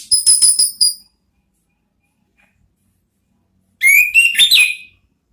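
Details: Orange-headed thrush song in the style called ngeriwik, recorded for use as a lure to draw out the ngeplong sound: a quick burst of sharp, repeated whistled notes, a long pause, then a rising, warbling whistled phrase.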